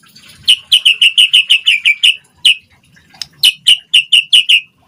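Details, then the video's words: White-rumped shama song used to lure other birds to respond: a fast series of sharp, repeated chipping notes, about a dozen in a run, a pause, then another similar run. "Pancingan Murai Batu Gacor Cepat RESPON Langsung NYAUT Auto BONGKAR Buat Masteran Suara Burung Murai"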